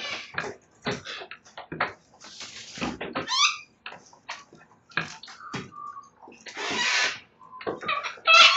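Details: Sulphur-crested cockatoos shredding a verandah in Belgrave South, Melbourne, Victoria, Australia, on the morning of Sunday 29 May 2022; steady crunching and clicking of beaks on wood, broken by two harsh grating screeches and a brief nasal squawk.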